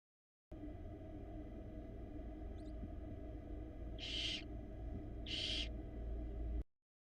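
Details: Harsh, breathy hisses from a young barn owl in a Florida nest box, 2022, struggling to swallow an oversized rat; two hisses about a second apart follow a long quiet stretch, all over a constant low electrical hum from the nest camera.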